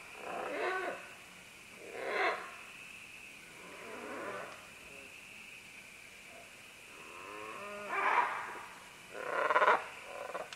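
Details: Green-winged macaws, a group moving down along vines, trading harsh grating squawks and wobbling nasal calls at irregular intervals, with loud raucous bursts toward the end over a faint steady hiss.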